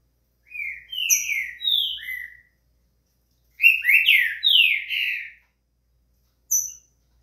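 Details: Green-winged saltator, locally trinca-ferro, offered to warm up a bird to sing: two loud phrases of slurred, rich whistled notes, each about two seconds, separated by a short silence, ending with a single brief high note.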